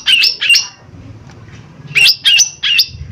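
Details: Lesser green leafbird (cucak ijo mini) giving rough lure calls to make another bird answer. Two loud scratchy notes, a short lull with low background hum, then three more in a quick run.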